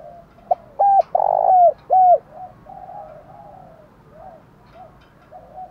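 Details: Spotted dove giving an urgent cooing series used to provoke wild doves and decoys into calling: a short run of loud, mellow, hooting coos, then a softer trailing series of lower coos.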